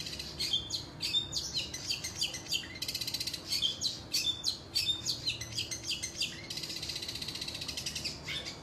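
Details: Long-tailed shrike in song, giving quick high chirps and scratchy buzzy bursts in an uneven, busy sequence, with a low steady hum beneath.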